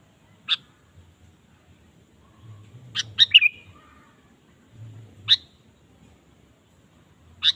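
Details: Sooty-headed bulbul in lively 'gacor' singing, used as a lure to prompt a kept bulbul to sing: short, sharp chirped notes every two seconds or so, with a quick bubbly phrase midway; quiet background.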